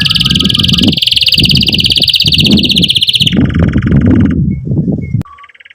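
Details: Canary singing vigorously with emotional 'cuit cuit' chirps, used to stimulate young canaries to learn song and restart birds that stopped singing; a fast high trill shifts to a lower rolling trill, with low rumbling background noise beneath.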